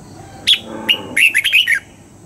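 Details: Red-whiskered bulbul trained for dawn singing in the 'old forest' double-note style gives one lively phrase: a sharp note, a brief buzzy murmur, then a fast run of bright, slurred whistles.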